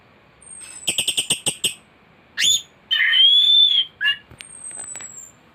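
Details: Energetic thrush singing a complete song packed with varied phrases, used as tutor material. A fast run of six clipped high notes is followed by a rising slur and a long, sweet whistled phrase.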